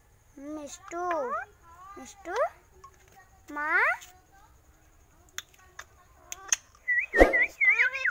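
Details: Alexandrine parakeet talking like a person: a string of short, upswept speech-like syllables repeated at irregular intervals, then a quick wavering whistled trill near the end, with clicks and faint music.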